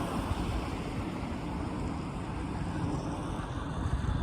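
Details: Steady low rumble of wind or engine noise with no animal calls.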